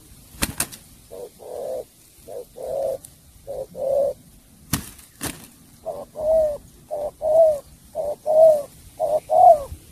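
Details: Spotted dove singing in the 'sắm bầu bạch đề' style: regular doubled coos, short then long, growing louder toward the end, with a few sharp clicks early on.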